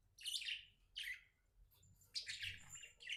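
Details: Happy pet budgerigar giving quick bursts of scratchy, descending chirps about once a second, then a longer warbling phrase, indoors with low background hum.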